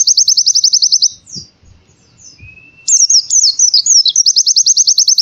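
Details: White-eye singing in a canary-style 'tembakan' burst pattern, used to prompt reluctant birds to sing: fast high rattling trills, a pause with a thin whistle, then tumbling slurred notes and another rapid trill.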